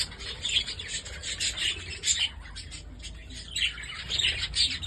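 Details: Group of Holland budgerigars kept as pets, calling continuously: overlapping shrill chirps, warbles and short squawks, rising and falling in loudness every half second or so over a faint low background hum.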